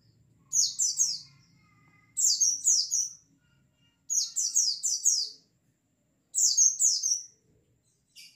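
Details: Flock of white-eyes played as a lure: four bursts of high, quick, tumbling chirp phrases, each about a second long, separated by short pauses, with a faint low hum behind.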